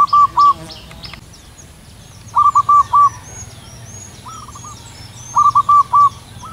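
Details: Zebra dove (perkutut lokal) singing long and loud from a high perch on a cool morning; phrases of three or four cooing notes ending in a longer one, a brief clatter at the start and other birds chirping faintly.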